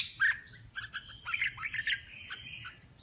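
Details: Contest-singing male red-whiskered bulbul, fairly quiet, giving a jumbled string of chirps and warbles at mid pitch against low background rumble.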